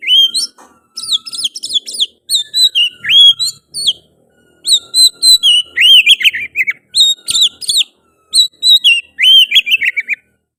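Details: Oriental magpie-robin pouring out long, unbroken song with sooty-headed bulbul phrases mixed in. Dense bursts of crisp, varied whistles and chattering notes follow one another almost without pause.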